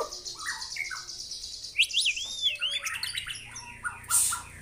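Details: Tutor recording of a real white-rumped shama with harsh 'tembakan' song: short low whistled notes, then a loud arching high whistle and rapid scratchy chattering phrases ending in a sharp high burst.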